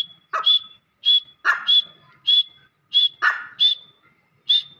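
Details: Grey francolin giving its loud call: clear, high whistled notes that rise at the end, alternating with harsh, grating lower notes in an uneven rhythm of about two phrases per second.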